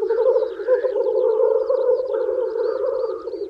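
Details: Displaying male black grouse at a spring lek, wooing females: a loud, dense bubbling coo chorus with higher warbling calls above and light twittering of small birds in the distance.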